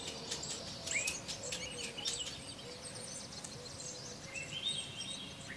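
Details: Small wild birds feeding at a birdhouse feeder give quick, high chirps and short rising tweets in bursts, over a steady wavering low tone and soft outdoor background.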